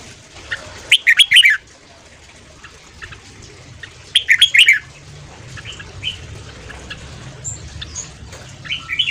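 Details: Morning song of a red-whiskered bulbul in the quick 'ché' style, meant for training and provoking wild birds. Two loud, chattering whistled phrases about three seconds apart, followed by softer scattered notes and faint calls.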